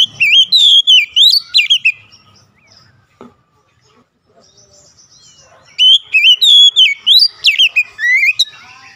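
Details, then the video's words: Oriental magpie-robin (kacer) song, played as a recovery track for a stressed bird. Two bursts of loud, rich whistled phrases that twist up and down, with sharp notes repeated about three per second, separated by several seconds of near silence. "PEMULIHAN AMPUH KACER SETRES LANGSUNG GACOR"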